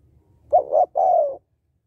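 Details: Female spotted dove calling to excite males: a single mellow phrase of two quick coos followed by a longer, gently falling coo, with soft low rumbling before it.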